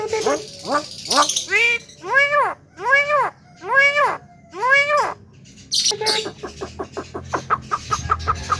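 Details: Javan myna, said to make other birds agitated, repeats nasal arching notes about once every half second, then switches to a harsh burst and a fast, even chatter of clicks.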